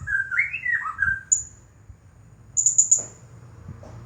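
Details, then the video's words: Blue-crowned hanging parrot, a champion singer in the 'nagih hutang' style, gives a single shrill note and then a quick four-note burst of high chirps, after a lower warbled whistle from another bird. "Serindit Juara Nonstop Bunyi Gaya Nagih Hutang"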